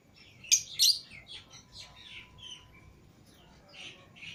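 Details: Green Fischer's and lutino lovebirds, pets let out of their cage together, give sharp high chirps and a burst of loud squeaky notes, then scattered softer twittering calls.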